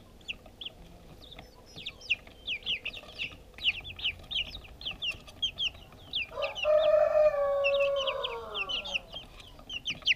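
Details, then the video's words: Fluffy backyard chicks peep while eating food, recorded with a GoPro: rapid, irregular high chirps throughout, with a louder drawn-out lower hen-like call of about two seconds near the middle. "Sound and video of Backyard chicks"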